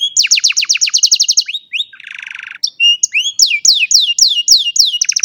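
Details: On a sunny morning an old canary delivers rapid rolling trills, a low buzzy rattle lasting under a second, then loud sharp downslurred whistled notes repeated about four per second.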